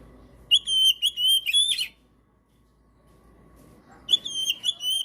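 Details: Kacer, the Oriental magpie-robin, singing a master song to stimulate silent birds: a rapid series of piercing whistled notes ending in buzzy chatter, a short quiet gap with low hum, then the whistles start again.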